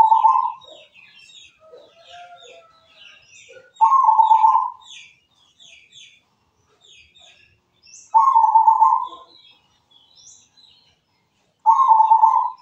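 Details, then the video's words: Local zebra dove in active song, repeating a rough, purring coo phrase about every four seconds, over a busy background of high chirps and twitters from other small birds. "Perkutut lokal gacor suara mewah"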